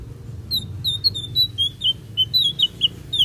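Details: Blue-eared kingfisher, a lively vocal bird, gives a quick series of thin, very high, down-slurred whistles, roughly four a second, over a low steady hum.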